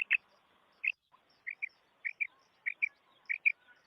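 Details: Common quail call used in hunting. Short bright double notes recur irregularly at intervals under a second, with a few soft faint chirps between them.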